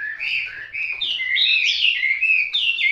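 Hwamei singing a loud, unbroken run of rich, fluty whistles that slur up and down, phrases changing quickly with no pauses; nothing else stands out.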